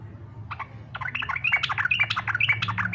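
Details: Yellow-vented bulbul fighter-style song, used to prompt other bulbuls to sing along: rapid chattering, bubbly notes building after a short pause, with a low hum underneath.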